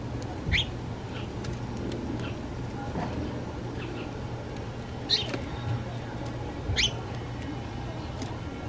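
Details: In Toronto, Canada, a house sparrow gives three brief, bright chirps spaced a few seconds apart over a steady low hum of traffic or machinery.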